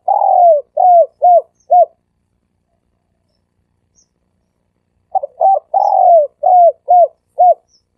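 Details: Sam kuk style dove call, meant as a lure that brings doves in fast: phrases of five to seven mellow arched coos, the early note drawn out and falling, repeated after a three-second silence.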